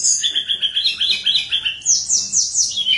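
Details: Sunda robin in full, flute-like song, used to prompt lazy birds to sing: a rapid run of bright whistled notes, about four a second, stepping up in pitch and ending in a higher rippling trill.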